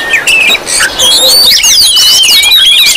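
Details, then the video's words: Oriental magpie-robins in a busy lure recording meant to provoke other magpie-robins: high whistled notes, sliding and rising, over a steady hiss, with scattered sharp chirps throughout. "Suara Kacer ribut Rame Banget sangat cocok buat pancingan"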